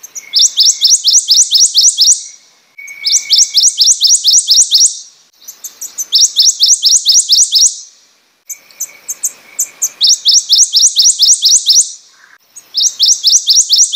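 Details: Prothonotary warbler singing repeatedly, each phrase a rapid series of around eight bright, rising, metallic sweet notes delivered on an even pitch, phrases separated by short pauses, with a steady faint insect-like hum and soft background chirps.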